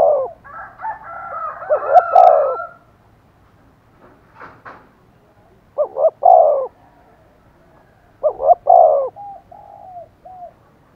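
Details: Decoy spotted dove cooing to stir wild doves into answering: a run of throaty, wavering coo phrases at the start, then two separate loud groups of deep, rounded coos spaced a couple of seconds apart in quiet surroundings.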